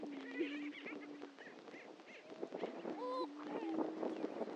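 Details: On a historic Missouri lek at Dunn Ranch Prairie, Hatfield, displaying greater prairie-chickens produce a low humming drone, quick chattering notes and, later, a loud whooping call over continuous low murmuring.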